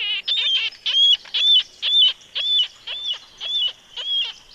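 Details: Marbled Murrelet on Mount Rainier's Carbon River side gives about nine high, harsh, gull-like 'keer' calls, each slightly downslurred, about two a second. A common nighthawk could be confused with it there.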